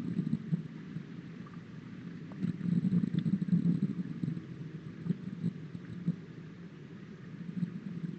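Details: Low rumbling wind and engine-like noise swells and fades, with a few soft knocks.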